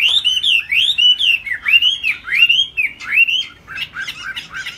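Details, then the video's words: Singing high from its cage, a tail-flapping laughingthrush delivers arched whistled phrases, each rising then dropping, repeated more than once a second, before switching to quicker, choppier notes at the end. "Hót cao cầu đập đuôi khướu"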